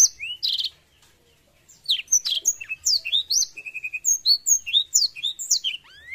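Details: Canary singing a varied, high-pitched song: a buzzy trill and rising note, a brief pause, then rapid downswept whistles, short repeated pips and chirps, ending with a long rising whistle.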